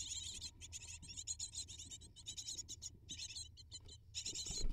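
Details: Eight hungry great tit chicks begging as parents feed them: a dense, nearly continuous chorus of harsh, high-pitched rasping chirps with brief gaps, plus scratching and rustling in the nest.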